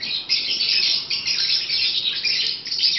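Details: Several pet African lovebirds during breeding season keep up a continuous, dense, high-pitched twittering chatter with no pauses, scratchy and shrill throughout.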